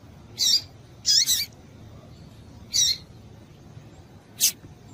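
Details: Female double-collared seedeater calling to excite males, used by keepers preparing singing birds for contests; four short, high, chirpy notes with a dip, the second one doubled, spaced irregularly about a second apart over a low background hum.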